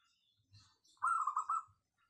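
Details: Local wild zebra dove with a crisp, dense voice giving a single fast, rolling coo phrase of several quick beats lasting under a second, with a faint low thump beforehand.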